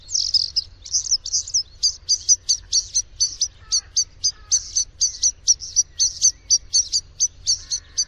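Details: Luscinia svecica song opening with warbled phrases and then settling into a rapid, insistent string of high, clipped ticking notes, roughly four per second, with soft lower chatter behind.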